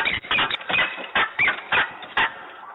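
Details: A peregrine falcon squabbling in Włocławek on an afternoon in mid-November 2020, its rough, strained calls coming in separate bursts about every third of a second over a hissing background.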